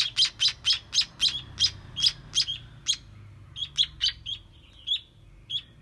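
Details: Baby sparrows during feeding: a quick burst of loud, high chirps, then a looser, quieter scatter of shorter peeps.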